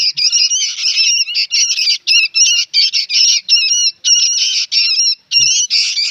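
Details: Young sooty-headed bulbuls squawk insistently. Loud, wavering, rasping notes are packed into rapid runs, with one short pause before the chatter continues.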